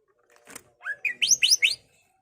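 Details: Greater green leafbird song meant to stir other leafbirds, a short phrase of a rising whistle then four loud, fast upswept chirps, with a faint soft note before.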